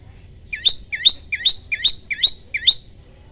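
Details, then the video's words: Prenjak lumut tutor song in tembakan style: a run of six crisp, upslurred chirps with a piercing high end, roughly two and a half per second, clean and close. "tembakan 40 detik sekali napas masteran prenjak lumut"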